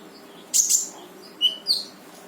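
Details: Brown-throated sunbird (konin) in lively 'gacor' full 'tembakan' singing, meant to prompt a silent konin to sing: two loud, very high chirp bursts, a pause, then two sharp, thin, high notes.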